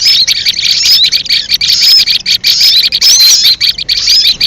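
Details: Trapping lure call of a leafbird: loud nonstop high-pitched twittering mixed with short rising and falling whistles, a busy chattering stream.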